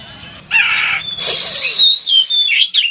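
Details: Oriental magpie-robin of the poci type singing in competition to provoke opponents: a buzzy harsh note, then a long ringing whistle that wavers and slides, with a faint low hum underneath.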